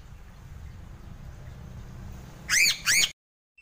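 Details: After a few seconds of low background hum, a Sulawesi crow, locally gagak sule, bursts out with two loud, harmonically rich rising notes in quick succession before the sound cuts off.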